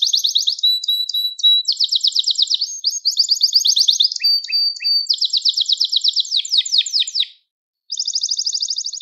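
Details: Gloster canary singing to stimulate other canaries and train young birds: fast rattling trills change quickly from one tour to the next, mixed with steady whistled tones and brief lower chips, then a short pause before a bright trill resumes.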